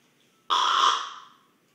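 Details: Sleeping common raven snoring at close range: one abrupt, hoarse, broad rasp lasting just under a second that fades away gradually.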